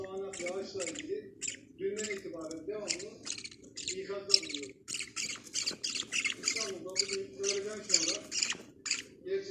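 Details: Budgerigar (Melopsittacus undulatus) chicks give harsh, raspy squawks in rapid bursts, with a person speaking quietly underneath.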